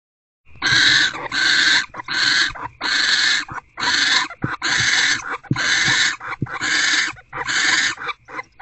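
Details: Owls in a nest box at 3:06 am on 17 February 2024, during a food delivery and bonding: harsh, raspy hissing screeches, about nine in a row, each lasting well under a second with brief gaps.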